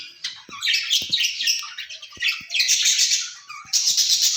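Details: Caged ringneck parrots speaking to each other in loud, buzzy, garbled bursts of chatter separated by short gaps, with faint clicks underneath.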